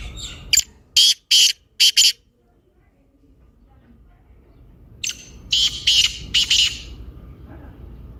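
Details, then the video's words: Black francolin calling, played to get a silent or lazy caged francolin to call: a phrase of five loud, rasping notes, a quiet pause of about three seconds, then another harsh grating phrase of several notes. "کالے تیتر کی مست بولنے کی آواز | Kaala Teetar Short Voice / Kalay Teetar Ki Awaz"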